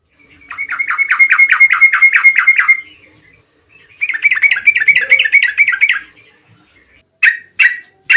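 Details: Yellow-vented bulbul (trucukan) in long 'ropel' singing meant to provoke other trucukan to sing: two sustained runs of fast, rattling repeated notes lasting two to three seconds each, then three short sharp chirps.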